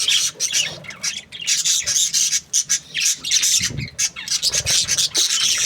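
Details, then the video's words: Breeding pairs of budgerigars chatter happily: a dense, continuous high scratchy warble of rapid chirps and squawks from several birds at once, with brief dips between bursts. "Happy budgie chirping sounds | breeding pairs"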